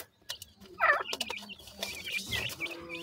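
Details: Young black francolin chicks, kept birds, giving short high chirps and squeaky notes in a busy, cluttered recording with scattered clicks and thumps.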